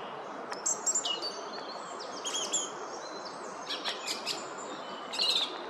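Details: Song thrush singing in a woodland at Oostvlietpolder, 24 February 2021: scattered high, sharp whistled and chirping phrases with short pauses between them, over a steady background hiss.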